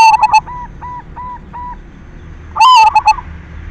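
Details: Silver zebra dove in full song, used as a lure to spur other doves into singing: a loud cooing phrase of rapid stuttered notes opens and recurs near the end, with fainter hooked coos from distant doves between.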